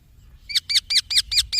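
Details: Young green parrot chick producing six sharp, evenly spaced chirps, each with a bright downward-curving high tone, delivered about five per second against a soft low background murmur.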